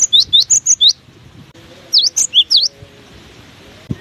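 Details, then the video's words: Cinereous tit singing through strong wind: a fast run of five high whistled notes, a pause, then four more sharp rising and falling notes, with a faint low tonal sound and wind behind. "Diterpa angin kencang! burung gelatik batu ini tetap gacor"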